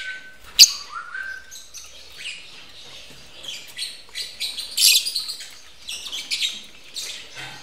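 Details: Lovebirds mating at a breeding facility; a sudden loud squawk and a sliding whistle open a run of harsh, scratchy chirps in irregular bursts.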